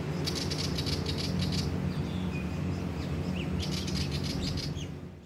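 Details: Willie wagtail on the Sunshine Coast, Queensland, in November 2023, giving two bursts of dry, rapid chattering rattles, with a few thin high chirps between them, over a steady low rumble.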